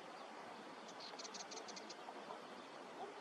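A dunlin gives a quick run of about eight thin, high notes, evenly paced over one second. Steady rushing noise like wind or surf sits underneath.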